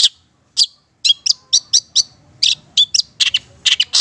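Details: Madura Long-tailed Shrike in full song, its recording used to train and draw out other birds; a quick run of sharp, high, clipped chirps, with some doubled notes, pouring out after a short silence.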